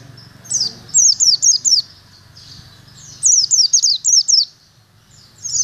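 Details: During cemetery training, a caged Oriental white-eye sings two clusters of rapid, piercing high chirps, each about five notes falling in pitch, with a quiet pause between and faint hum behind.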